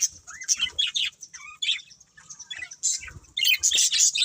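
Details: Sparse, distinct budgerigar chirps and little rising and falling whistles come with gaps between them, then a louder flurry of squeaky chatter at the end.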